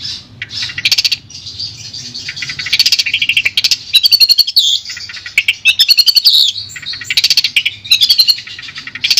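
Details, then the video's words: Madura-type long-tailed shrike from Indonesia, a clear training recording: varied high chirps and trills in quick bursts, some notes sliding and warbled, with short quieter gaps between the phrases. "Suara Jernih Masteran Burung Cendet Madura"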